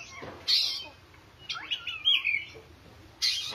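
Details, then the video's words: Oriental magpie-robin singing vigorously: a few scattered whistled sweeps rising and falling in pitch between two sharp, loud bursts of broadband noise, with a low background hum. "kacer gacor manteb banget"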